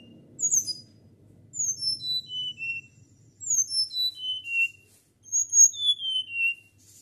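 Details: Flycatcher singing naturally in a fluty whistle: four quick phrases of thin, pure notes, each cascading downward from very high to lower pitch, repeated every second or two with brief pauses.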